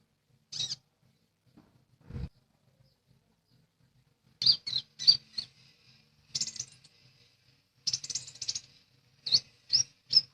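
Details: Lesser green leafbird in spirited song: scattered high, scratchy chirps and short buzzy twitters in clusters separated by silences, plus one low thump early on.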